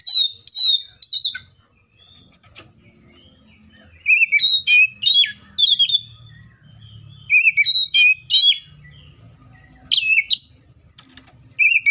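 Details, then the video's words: Oriental magpie-robin in the wild singing in short bursts of sharp, whistled and chattering notes, separated by pauses of a second or two, over a soft low hum. "THIS COPSYCHUS SAUCARIS BIRD MOST LUXURIOUS SOUNDS LIKE IN THE WILD!"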